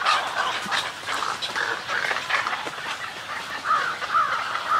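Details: Snowy egrets (Egretta thula) in a colony give harsh, raspy, gargling colony and greeting calls, several overlapping, with a few repeated nasal notes near the end.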